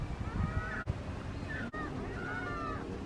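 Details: Seagulls fighting, giving drawn-out nasal wailing calls that waver and bend slightly in pitch, several in a row, with brief cuts in between and low background rumble.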